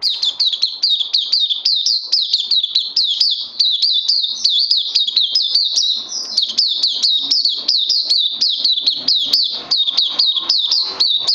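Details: Oriental white-eye kept in a cage, recorded 31 May 2020, singing a long unbroken series of shrill, rapid twittering notes with quick up-and-down inflections, steady and loud throughout.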